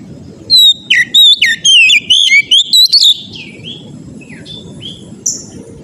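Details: Oriental magpie-robin in loud, persistent song meant to make other magpie-robins sing: bursts of rich whistled, slurred notes rising and falling, then softer scattered phrases over low background rumble.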